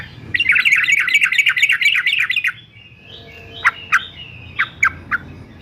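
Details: Yellow-vented bulbul, fighter male used for training, opens with a fast run of rhythmic bubbling notes, then a thin drawn whistle and a few sharp separate chirps.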